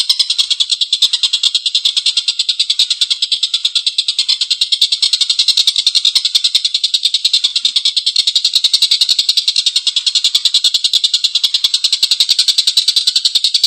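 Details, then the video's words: Collared kingfisher in strong voice delivering an extended coarse laughing chatter: rough, buzzy notes repeated about three to four times per second, sustained for nearly fourteen seconds without pause. "Suara tengkek buto||masteran burung gacor ngekek panjang suara kasar"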